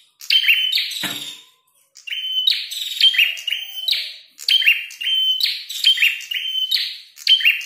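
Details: Red-headed prinia singing hard in a fighting mood: a short burst and a low thud, then a pause, then a run of clipped buzzy notes with crisp clicks, repeated almost without a break.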